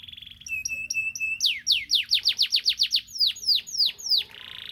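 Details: Canary singing in the morning, a courtship song: a steady whistled tone, then fast falling sweeping notes repeated about five per second, ending in a buzzy trill.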